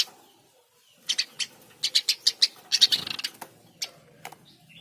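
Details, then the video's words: Eurasian tree sparrow, Passer montanus, calling; series of high, sharp chirps speeding into a brief rattling run, followed by a few scattered single chirps. "Burung gereja gacor"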